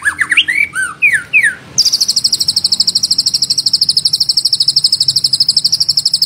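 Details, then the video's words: Singing White-rumped shama, used as a lure to get other shamas singing: swooping slurred whistles, then a long, very high, rapid buzzy trill held steady to the end. "Pancingan Murai Batu Agar Bunyi Ngeplong"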